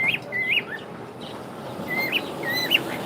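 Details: A pet cockatiel greets with good morning: paired bright whistles, a flat note sliding into a sharp upward flick, given twice with a pause between.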